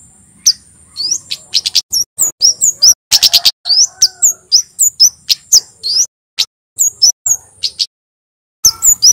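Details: Male Javan kemade sunbird in full song, recorded as a lure to get captive birds singing: rapid sharp high chirps and bright descending whistled notes in dense bursts, with a short pause before the final flurry.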